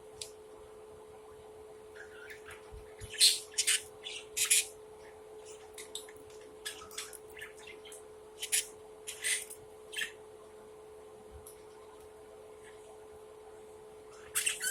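Budgerigar chicks give short, raspy, hissing squawks in scattered bursts over a steady electrical hum.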